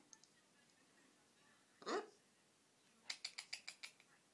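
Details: Young blue-and-gold macaw, a pet just over a year old, playing by himself indoors; a single harsh squawk, then a rapid run of seven staccato laugh-like notes.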